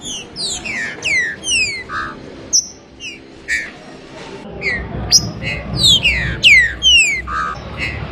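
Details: Trinca-ferro 'abrir canto' song: bursts of clear descending whistles and a short buzzy note, a quieter gap in the middle, then another loud run of falling whistled notes over low rumble.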